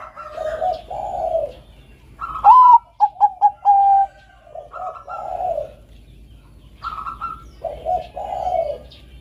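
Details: Zebra dove (Geopelia striata), Bangkok-type perkutut: soft, rolling coos, quick stuttered notes leading into longer purring phrases, repeated every few seconds, with a few faint chirps behind.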